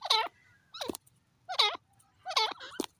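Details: Grey francolin, called teetar, giving loud harsh ringing notes with rich overtones in spaced bursts, four main calls mixed with sharp clicks over a faint low hum.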